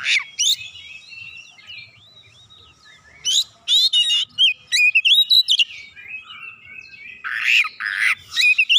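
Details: Oriental magpie-robin replying insistently with a long, varied run of learned fill-in phrases: sweet whistled slurs, fast twittering notes and rough buzzy squawks, about three elements per second.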